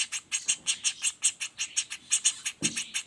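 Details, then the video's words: Rapid, unbroken chatter from a juvenile common flameback: harsh, high-pitched notes repeated almost three times a second, with one soft low bump near the end. "Suara Pelatuk Bawang Anakan Roll speed tanpa jeda"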